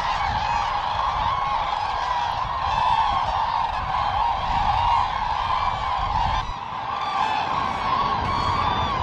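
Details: Common cranes gathered in spring at a lake at Trandansen, Sweden, around 15,000 birds, evening before heading north to breed: a dense, continuous chorus of loud trumpeting calls from the flock, with a man speaking briefly.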